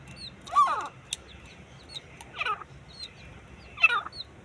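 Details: Teetar partridge in a fight, uttering three strong, grating calls at irregular gaps, each with a downward-sliding harsh tone. Soft twitters of smaller birds and a low hum fill the pauses.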